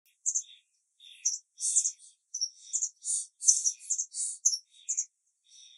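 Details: A white wagtail nestling keeping contact with its parents gives rapid, high, scratchy 'tsivi-tsivi' begging chirps in uneven bursts, several per second, with brief pauses between runs.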